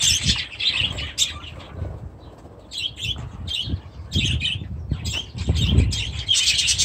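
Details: Budgerigars with chicks in their aviary give separate short, squeaky chirps and squawks in bursts, over low rustling and fluttering sounds.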